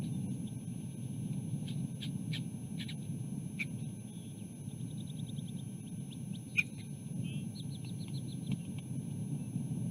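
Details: Eaglet standing in the middle of its nest, softly alerting to a bird flying past behind the nest: thin, high chirps in short clustered series, some in quick trills, over a steady low rumble.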